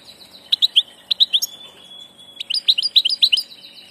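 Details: European goldfinch, a 'del paso' (passage) bird, singing two bright twittering phrases of quick liquid notes, separated by a long thin held whistle.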